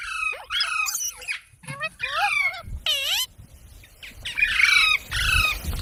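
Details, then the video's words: Parrot vocalising with a quick series of bent, harmonic whistles and raspy squawks, some notes swooping down steeply, over faint low rumble. "Parrot Sounds"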